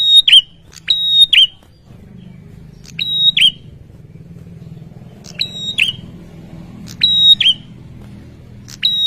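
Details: Male bar-winged prinia in insistent song meant to make rivals reply quickly: separate phrases of a sharp click, a steady high whistle and a dropping curl, given in pairs with pauses, over a low engine-like rumble.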